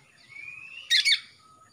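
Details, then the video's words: Young male greater green leafbird from Kalimantan, just out of spotted juvenile plumage with a black front throat, untrained but singing actively; one long thin whistle glides slowly upward, then ends in a loud harsh double chatter. "CUCAK ijo LEPAS trotol"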